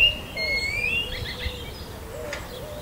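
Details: Common blackbird (Turdus merula) singing in spring in the lower Susa Valley: clear, fluting whistles with a few rising and falling notes and short twittery bits, over a steady low hum.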